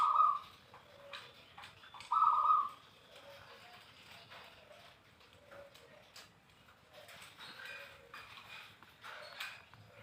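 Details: Zebra dove voice used to prompt other doves to sing: two short rolling trilled coos about two seconds apart, followed by quieter scattered chirps and clicks amid background noise.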